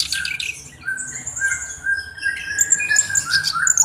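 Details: Black-browed reed warbler in full song, used as a tutor bird for other songbirds; drawn-out mid-pitched whistles alternate with harsh squawky notes, followed by sharp high ticks and short piercing notes.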